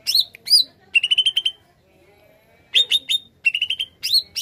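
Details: Greater green leafbird singing as a bird lure: two rising swooped whistles, a rapid six-note trill, then a quiet pause before further swoops and clipped whistled runs.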